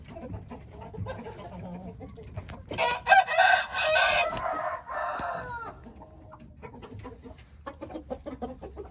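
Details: A single Hint rooster crow, loud and raspy, lasting about two and a half seconds before dropping away, with soft clucks and clicks before and after.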